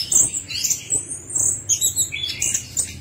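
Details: Brief burst of orange-headed thrush song from a lure meant to set a silent bird singing, with very high squeaky whistles and quick chirps in close succession.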